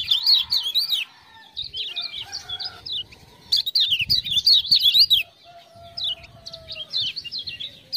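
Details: Lemon-bellied white-eye (kecial kuning) from Lombok singing after a lure of ciak-ciak sounds: rapid high zigzag chirps in bursts, separated by short gaps, with lower steady whistled tones beneath.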